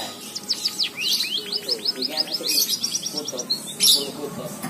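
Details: Kept white-headed munia delivering canary-like song learned by mimicry: a rapid run of high, steeply slurred chirps repeated in a fast series, then a couple of louder buzzy bursts, with low voices murmuring faintly underneath.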